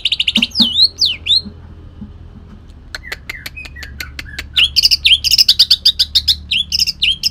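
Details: Kalimantan greater green leafbird with a rough song carrying long-tailed shrike mimicry. Squeaky slurred notes and a string of dry clicks build into a rapid, high, scratchy chatter.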